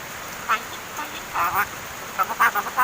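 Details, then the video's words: Young hand-raised mynas, just over seven months old and beginning to talk; rasping, nasal syllables come in short clusters, a lone squawk first, then a quick run of four or five choppy notes, against constant background hiss. "MARTINEZ BIRD TALKING!"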